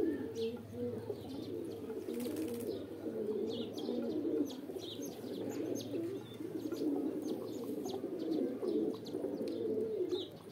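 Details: Low, burbling coos of many pigeons in mating call run on without pause, with a brief rustling burst near the start and sparse sharp chirps from small birds.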